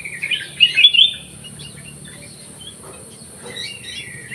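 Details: Black-crested bulbul held in an aviary, singing energetically: one rich, tumbling whistled phrase near the start, then mostly quiet with a few faint chirps toward the end.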